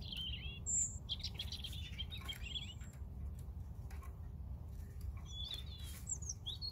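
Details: European robin song: a high piercing note, then a jumble of twittering warbled notes, a pause, and more thin rising and falling whistles near the end, all over low steady background noise.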